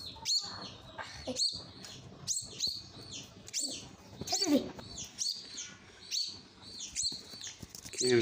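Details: Common myna chick begging as it is hand-fed: dense run of shrill, high, downward-slurred squeals, some doubled, repeated irregularly over eight seconds, with a brief low voice and room hum in the background.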